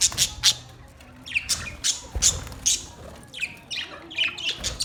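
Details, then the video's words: Australian parrots utter loud harsh squawks, single screeches spaced roughly a second apart, with a faint low background rumble. "Beautiful parrot sounds"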